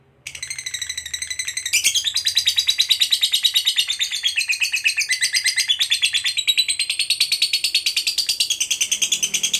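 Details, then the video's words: Long ngekek from a fighter lovebird, full of emotion and meant to draw replies from other lovebirds; after a short quiet start, a dense stream of rasping chattering notes runs without pause, wavering up and down in pitch. "Lovebird FIGHTER Ngekek Panjang FULL EMOSI_Pancing Lovebird KOYO AUTO Nyaut Gacor RAJIN BUNYI"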